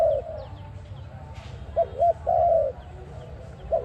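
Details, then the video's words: Dove heard as a trapping lure: end of one coo, then a phrase of two short notes and a longer sustained coo, the start of another at the close, over low rumble and faint chirps. "Sound of ARIMIX dove quality sound to use for trap"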